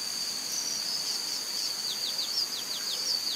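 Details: A White-barred piculet (Picumnus cirratus) in Serro, Minas Gerais, Brazil, gives a quick series of thin, high, down-slurred notes, about five per second, over a steady shrill insect drone.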